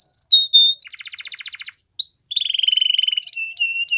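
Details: A Belgian canary's training song for young canaries: clear level whistles, a rich buzzing roll, upward slurs, then a fast rattling trill of repeated notes and short high whistles.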